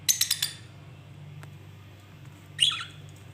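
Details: Lovebird noise: a burst of four rapid, piercing high chirps at first, a long quiet stretch with a soft tick, then one harsh, grating squawk over a low electrical hum.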